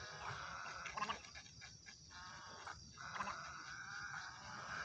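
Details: Little egrets give harsh, raspy croaks and gargling squawks in uneven bursts, over a steady background hiss of other birds.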